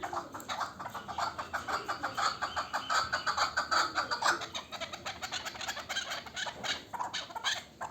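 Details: Local chukar partridge, last year's young bird, uttering loud rhythmic chuk-chuk notes roughly twice a second, building in strength mid-clip and then easing, with a slightly hollow, roomy sound.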